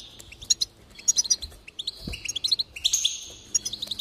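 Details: Goldfinch singing as encouragement for another goldfinch: scattered bright chips giving way to a rapid twittering run and a long buzzy note, with a soft low knock in the middle.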